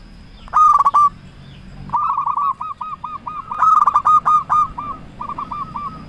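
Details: Local zebra dove lure call meant to excite rivals into replying. A loud rolling trill opens, followed by a long run of stuttering coo notes overlapped by another loud trilled phrase, over a steady background hiss.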